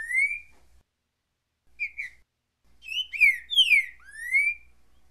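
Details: Green-winged saltator singing the currucutil boi song style: a rising whistled note, a pause, then a burst of short slurred whistles, falling sweeps and a final clear rising whistle, in a quiet, clean recording.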